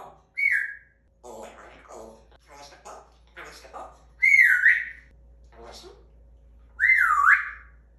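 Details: Indoor pet African grey parrot, in puberty, mating season and the terrible twos, mixes mumbled speech-like chatter with three loud swooping whistles, each dipping and rising, spaced a few seconds apart.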